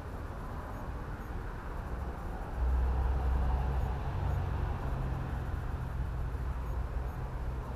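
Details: Low traffic rumble from passing vehicles, growing louder partway through, with no animal calls.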